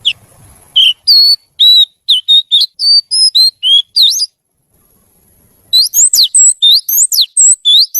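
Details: Oriental magpie-robin (kacer), a trained pet bird, singing strings of clear whistled notes, level and downslurred, then a pause and a faster burst of sharp sweeping whistles.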